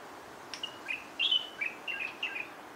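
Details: Light-vented bulbul of the Taiwan subspecies singing: a quick run of short, clear whistled notes with slight slurs and warbles, delivered in bursts about every third of a second, over a soft steady background hiss.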